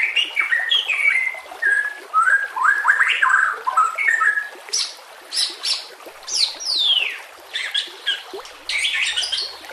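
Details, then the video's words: White-rumped shama song for training birds, set among nature sounds: dense descending whistled phrases, then loud sharp downward sweeps and crisp high strokes. "masteran nembak kasar cocok untuk murai batu Kacer dan cucak ijo Murai Batu"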